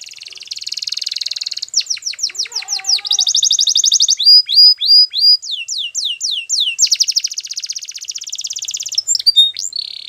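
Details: Belgian canary in continuous training song: buzzy high trills, rapid down-sweeping notes, clear swooping whistles and a long rolling trill, loud and unbroken.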